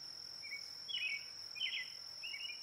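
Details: Brown-headed cowbird giving short, harsh chattering notes in four spaced bursts, with a steady high insect-like whine running throughout.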